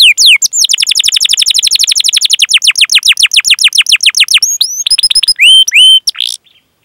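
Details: Canary in full song, a long rolling 'cuit cuit' performance used as a lure to get young or silent canaries singing: rapid falling chirps repeated in a fast, even trill, then a few higher separate whistles and a sudden stop.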